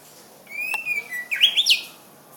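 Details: Greater green leafbird, known locally as cucak ijo, opening with a long level whistle that slides lower, then breaking into a quick rising and falling twittered flourish.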